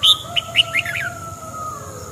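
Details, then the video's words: Red-whiskered bulbul song: a quick run of bright, bubbly whistled notes, rising and falling at about five a second, over a faint steady hum. "chào mào hót"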